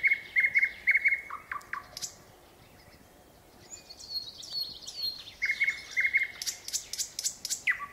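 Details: Nightingale singing in varied phrases: rapid repeated chirps near one pitch, then a pause, followed by high whistled notes and a fast burst of sharp clicks.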